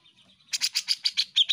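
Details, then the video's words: Grey-cheeked bulbul in a master recording used for tutoring caged songbirds, singing actively: after a faint start, a quick run of about eight sharp, bright chattering notes repeated evenly. "Cucak Jenggot Gacor Masteran burung ocehan"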